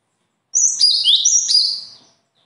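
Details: Songbird described as having natural talent, delivering a single high phrase of sliding whistled and chirped notes lasting about a second and a half.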